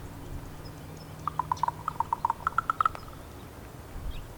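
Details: A female raven calling to communicate with her mate gives a quick run of about fourteen dry, hollow knocks over less than two seconds, fairly even in pitch, against a quiet low hum.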